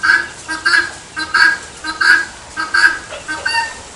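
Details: Helmeted guineafowl (Numida meleagris) giving harsh, nasal two-part calls, paired bursts repeated roughly every second and a half in a loud, grating rhythm.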